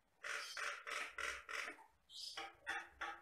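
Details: Jalak Batam myna in full, vigorous song, giving harsh, broad grating bursts repeated about three times a second, broken by a sharp high squeal near the end.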